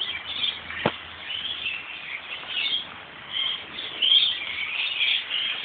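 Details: Lorikeets congregating high in a neighbouring gum tree, city centre, Australia, in light rain: dense overlapping shrill squawks and chirps from the flock, rising in bursts, with one sharp click near the start.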